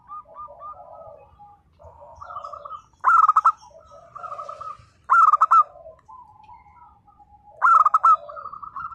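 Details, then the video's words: Zebra dove, local type, sings nembak-style phrases: three emphatic bursts of rapid, punchy cooing notes spaced two to three seconds apart, alternating with gentle, softer trilling coos. "perkutut lokal gacor _suara nembak perkutut lokal bisu_"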